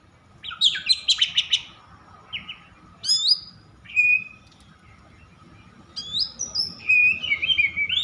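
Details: Oriental magpie-robin kept as a songbird, in an agitated, over-excited state, singing to provoke other magpie-robins into song: bursts of rich whistled and buzzy phrases at high pitch, separated by short pauses, over a steady low hum.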